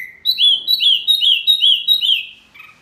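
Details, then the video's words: Wambi bird calling noisily, a call said to provoke other birds: a burst of five loud, whistled notes, each sliding up and then down, repeated about every third of a second, ending with a softer lower note. "SUARA BURUNG WAMBI MINI RIBUT SEKALI,BIKIN EMOSI BURUNG LAIN!"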